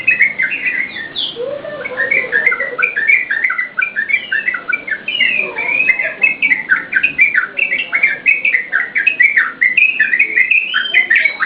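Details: Yellow-vented bulbul (trucukan) song, used as a lure for training cage birds: bubbly, liquid whistled phrases that rise and fall in quick succession, with several voices overlapping in a continuous chorus.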